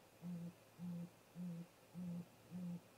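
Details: At a snag nest tree in late afternoon, a great grey owl pair visiting while still light: five low, steady hoots, each about a quarter second long, evenly spaced roughly every half second, with a quiet background.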